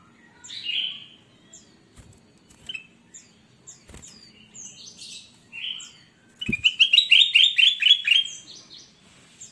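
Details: Ruby-throated bulbul (kutilang emas) singing actively in a cage, recorded as training material for quiet cage birds. Scattered short whistles and slurred chirps build into a rapid burst of ringing, repeated whistled notes near the end.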